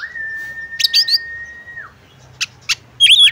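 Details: Female oriental magpie-robin calling to a male to get him singing. A long, steady whistle holds for nearly two seconds and ends in a drop, followed by short bright chips and a sharp, rising, slurred note.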